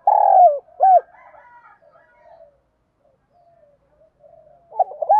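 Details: Spotted dove in the 'giọng đồng' style giving thúc gù calling coos for decoy training: a strong drawn-out coo and a quick arched note, a long stretch of quiet murmuring, then a renewed cluster of rolling coos.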